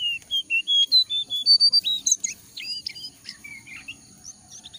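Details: Jongkangan used as a lure for wild-caught birds to start singing: a quick series of clear, high whistled notes, each slightly shifting in pitch, then sharper broken chirps and a lower slurred phrase near the end.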